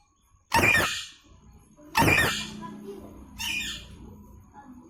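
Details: Harsh, rasping screeches from a rose-ringed parakeet, two loud ones about 1.5 seconds apart and a softer third, over a low steady hum.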